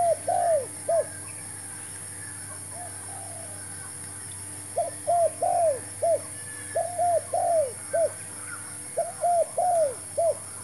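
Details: Spotted dove used as a fresh decoy for trapping; after a quiet gap, rapid series of short and drawn-out coos in groups of three to four, with a steady high whine throughout.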